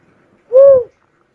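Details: Cuckoo-dove uttering one hollow, arched whoop lasting under half a second, clean against a silent background.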